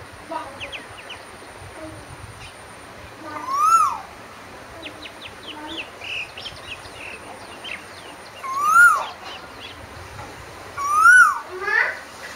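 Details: Three rising whistled koel notes across the stretch, the last two closer together, amid scattered thin chirps of other birds and a soft continuous background.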